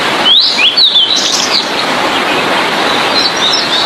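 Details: Blue-and-white flycatcher singing, used for training other songbirds: a quick run of bright whistled notes that swoop up and down within the first second and a half, then fainter high phrases over a steady hiss.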